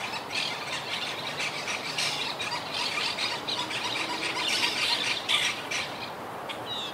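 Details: Many wild Quaker parakeets calling together from their tree colony, which was decimated by hurricane Irma in 2017. Rapid, grating squawks and squeals pile up several per second, rising to a loud peak near the end.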